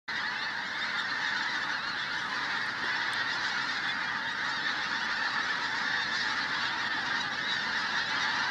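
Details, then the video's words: Large flock of pink-footed geese at Flitcham on 5 January 2017, a dense continuous wall of overlapping high honking and yelping calls with no gaps, steady in loudness throughout. "Pink-footed Geese, Flitcham 5th January 2017"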